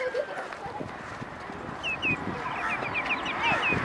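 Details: Common redshank (Tringa totanus), a migratory wader near Chennai, India, giving a quick series of short, clear, down-slurred whistles, several notes a second, over a steady background murmur that may include distant voices.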